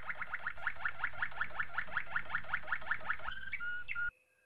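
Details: Malinois Waterslager canary training song: a rapid run of repeated, rolling notes, about four per second, gives way to a few higher whistled notes and a short held tone before stopping abruptly.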